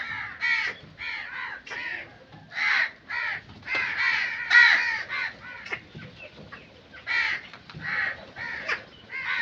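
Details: Rapid, repeated crow caws, coarse and nasal, delivered in quick runs with brief gaps, sometimes overlapping.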